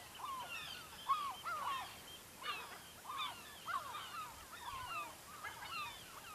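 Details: Gulls calling near a fishing village in the Lofoten, Norway: many overlapping mewing, down-slurred cries from several birds, mid-pitched and continuous, with a quiet background hiss.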